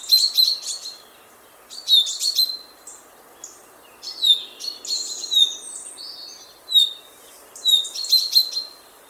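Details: Common chaffinch chirping and twittering, recorded on a Zoom F6 field recorder: bursts of sharp high notes and quick twittered clusters roughly every two seconds against faint steady background hiss.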